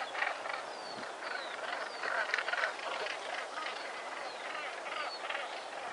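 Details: A dense, continuous din of harsh, grating calls from many northern gannets at a breeding colony on Bempton Cliffs, the overlapping rasping notes forming a steady chorus with no pauses.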